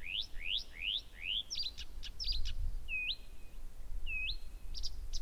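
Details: A Blyth's reed warbler sings constantly and very powerfully at Gerå Engvej around 01:00 on 15 June 2014: a slow phrase of four rising slurred whistles, then dry clicks and two upswept notes, over a low rumble.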